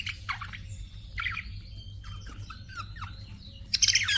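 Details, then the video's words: Pet budgerigars chirp: scratchy squawks, short warbles and sliding whistles arrive in bursts about every second, ending in a loud harsh chatter over a faint low background hum. "BUDGIES CHIRPING SOUND"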